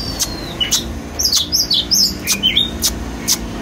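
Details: Brief stretch of white-rumped shama song during its dance: very high squeaky chirps in quick groups, punctuated by sharp regular clicks about every half second.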